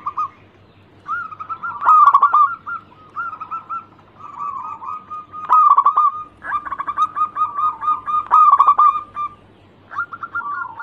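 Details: Song of a local zebra dove, used to draw other birds into singing. Rolling, slightly wavering coo phrases come one after another, separated by short pauses, with louder stuttered onsets at some phrase starts.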